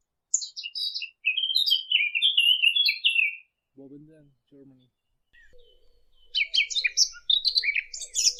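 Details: Eurasian blackcap, recorded for bird-hunting devices, giving a clear whistled warble that falls in steps, then a few brief low nasal notes, then a renewed burst of fast, high chirping.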